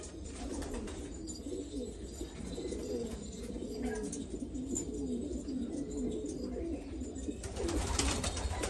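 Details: A chorus of black Afghan pigeons from Afghanistan, deep bubbling coos repeated rapidly and overlapping, with scattered clicks, scuffling and a burst of broad rustling near the end.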